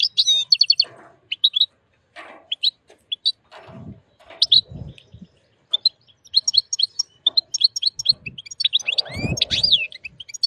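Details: Strong song of an excited wild European goldfinch mating with a white female canary, a long run of quick high chirps and metallic twitters, mixed with bursts of wing flutter and cage rustling.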